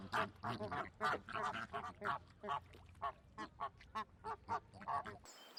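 Flamingos give harsh, nasal, goose-like honks, roughly two a second, with several birds overlapping in a noisy flock chorus.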